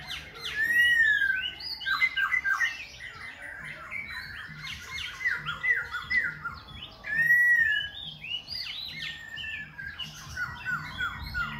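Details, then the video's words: Khe Sanh laughingthrush in nonstop song with dancing and constant voice changes: rich, varied phrases mixing clear rising-falling whistles, rapid runs of short sweeping notes and harsher chattering bursts, delivered almost without pause. "Khướu Khe Sanh hót múa đảo giọng liên tục"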